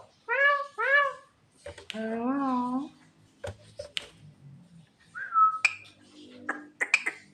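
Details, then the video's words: Javan myna singing at night, calling its mate: paired nasal, harmonic-rich upslurred notes, then a longer wavering call, scattered clicks and a clear falling whistle near the end. "burung jalak kebo gacor malam - malam panggil mamake cewe"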